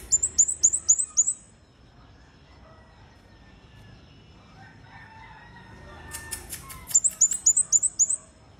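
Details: Red-headed bunting singing vigorously (gacor): two bursts of rapid, high, thin chirped notes, about six in quick succession. A quiet pause lies between them, with faint lower murmurs and a short rattle of clicks.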